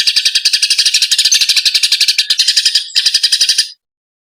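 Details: Eurasian tree sparrow calls during fighting, used as training material for songbirds: a dense, harsh, high chattering of rapid notes, about four per second, broken by a short gap near the end before stopping.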